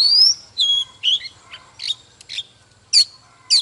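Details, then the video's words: Old wild Oriental magpie-robin in excited display song. Opens with a long rising whistle, then scattered buzzy and chirpy notes separated by pauses of about half a second, low hum faintly present. "Chòe than Già rừng hót múa CỰC ĐỈNH || Chòe than Căng Lửa || Kích chòe than HÓT SÁNG"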